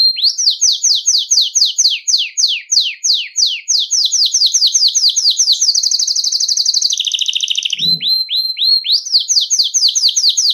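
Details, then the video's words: Belgian canary singing a nonstop bell-like song, used to warm up canaries and train young birds: fast repeated high downward-sweeping notes, then a buzzy sustained roll, a lower trill and a return to quick sweeping notes. "O CANTO DO CANÁRIO BELGA"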